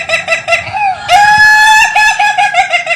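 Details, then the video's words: Indonesian laughing chicken, a rare breed, gives quick staccato notes before a loud drawn-out crow that dissolves into rhythmic, chuckling pulses, a crow many say resembles laughter. "You Won’t Believe This Chicken’s Funny Sound"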